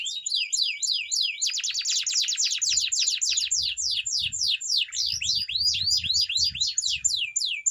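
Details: Canary song for training, starting with looping rising-falling notes about four per second, then a fast buzzy trill and a long run of sweeping repeated slurs; faint low rumbles underneath.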